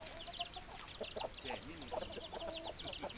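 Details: Hens clucking in a busy flock, with overlapping short clucks and squawks mixed with thin higher chirps against a noisy background.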